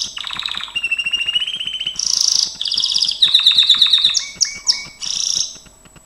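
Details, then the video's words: Continuous Gloster canary training song: a low rattling roll, then high buzzy bursts, quick repeated chips and short clipped whistles in steady succession. "GLOSTER CANARY SINGING Spectacular Beautiful training"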